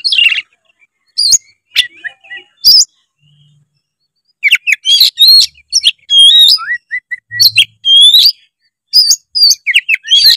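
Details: White-rumped shama song meant to spur a lazy young bird into singing: scattered sharp notes at first, then a dense run of looping whistles, slurred downward notes and clicks.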